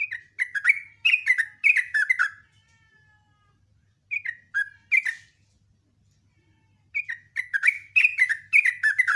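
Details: Morning song of a yellow-vented bulbul, the rapid 'ropel' delivery with chattering and sharp shots: three bursts of quick, liquid, gurgling phrases separated by pauses of a second or more.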